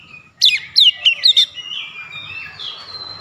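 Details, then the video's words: Oriental magpie-robin giving a short 'shooting' burst: four loud downslurred whistled notes in quick succession, followed by soft, drawn-out whistling. "KACER NEMBAK NEMBAK BONGKAR ISIAN"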